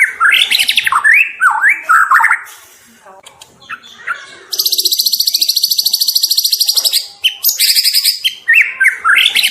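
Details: Varied song of a young, spotted white-rumped shama in frequent song: clear rising and falling whistled phrases, a pause, then a long rapid metallic trill and more swooping whistles.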